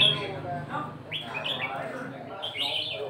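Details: Red-whiskered bulbul singing nap dok counted phrases: a few clear, rising whistled notes in short bursts over steady low hum and faint background chatter.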